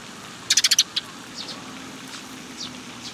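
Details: Young sparrows arriving to be fed at Tenmangū shrine, 18 May 2021: a rapid burst of five bright, high chirps, then one more, followed by fainter scattered chirps against low background noise.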